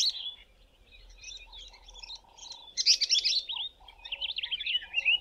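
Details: South African paradise flycatchers singing, including a female recorded scolding a spotted eagle-owl at evening or a fork-tailed drongo: rapid, squeaky chattering phrases and twittering trills, with short lower tonal buzzes repeated between bursts.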